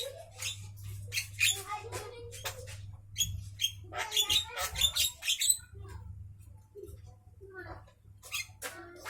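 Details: Javan myna at midday giving a varied chattering song of harsh buzzy notes mixed with short sharp whistles, delivered in irregular bursts over a constant low hum.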